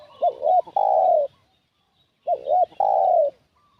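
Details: Spotted dove lure call aimed at wild doves: two clear phrases, each two short rounded coos followed by a sustained gently descending coo, with about a second of silence between them.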